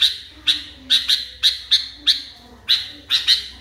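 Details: Sooty-headed bulbul, caged and agitated, repeating sharp bright chirps roughly every half second, some doubled, over a soft low hum.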